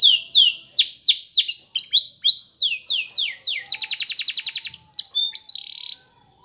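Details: Canary singing for training: repeated downslurred whistles, then a fast metallic trill and a short held note before the song stops.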